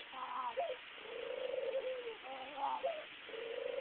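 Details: Pet dove cooing while bobbing its head, recorded on a cell phone: low, soft coos, with a brief rising note and then a long drawn-out hum, repeated twice in a regular phrase.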